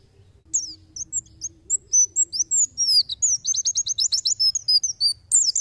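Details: White-eye tembakan song used as songbird tutoring material: thin, high whistled notes and slides at first, building into a fast, dense run of sharp descending chips, with a faint low hum in the background.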